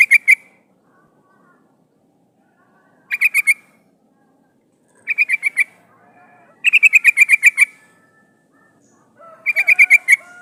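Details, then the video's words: Decoy call of a female sooty-headed bulbul summoning a male, used to attract wild birds: short bursts of three to eight rapid, rasping notes repeat every two to three seconds. "SUARA burung trucukan gacor memanggil lawan pancingan trucukan betina memanggil jantan"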